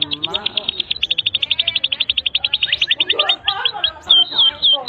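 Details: Canary singing a long tutor song for juveniles: an even, rapid pulsed trill of high notes, then a jumble of lower warbles and short bright whistled phrases.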